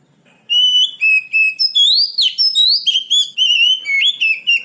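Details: Oriental magpie-robin song used as a lure to provoke young magpie-robins to respond. Loud varied whistled phrases mix flat notes, sharp rising slurs and quick chirps in a dense sequence, over a constant faint high-pitched tone.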